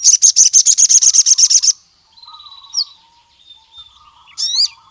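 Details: Male ruby-cheeked sunbird (sogon) calling rival males: a rapid, very high trill of about a dozen clipped notes over nearly two seconds, then soft lower twittering and a final rising, squeaky note.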